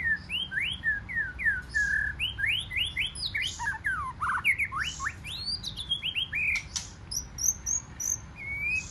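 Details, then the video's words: Wild-caught white-rumped shama singing in competition, a long series of quick upward-sweeping whistled notes interspersed with harsh chatter and sharp high notes, steady rhythm throughout. "Chòe Lửa Hót Giọng Rừng Kích Chòe Lửa Bổi Hót Đấu"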